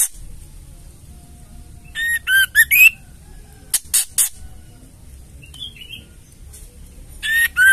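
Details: Female white-rumped shama giving ketrekan calls, used to provoke males into singing: short bursts of harsh broadband rattling notes in clusters of three or four, some with whistled rising inflections, separated by quiet pauses.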